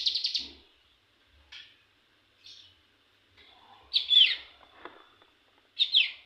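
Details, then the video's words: Young cigun practising song: a brief stuttering trill, then isolated high chirps and a louder slurred double note, separated by long pauses. "cigun muda belajar ngebrem ak47"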